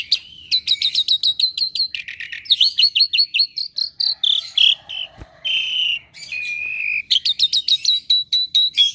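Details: Asian pied starling, kept as a pet and described as never quiet and skilled at mimicking other birds, pouring out a long run of repeated whistled notes mixed with buzzy phrases and a steady whistle.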